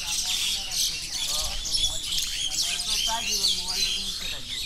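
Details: Many wild birds chirping together along the Napittachora trail near Mirsarai, Sitakunda, Bangladesh: busy high twittering mixed with short whistled and chattering calls, irregular and overlapping, with a man's voice briefly in the background.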